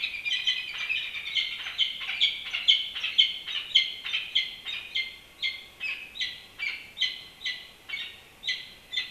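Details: Nesting peregrine falcon on the historic Campanile at UC Berkeley; a long run of rasping, scratchy calls, crowded at first, then spaced roughly every half second and fading slightly.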